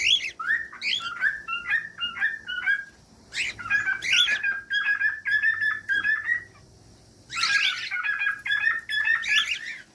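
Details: Cockatiel song: rapid warbling chirps and twisting whistled notes in two bursts separated by a short silence, with sharp noisy accents at the start of each burst.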